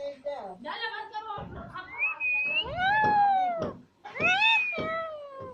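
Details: Alexandrine parrot talking in a near-continuous run of voice-like syllables, rising and falling in pitch with rich harmonics, including a long level whistled note and several arched, word-like calls, with a short pause before the final phrases.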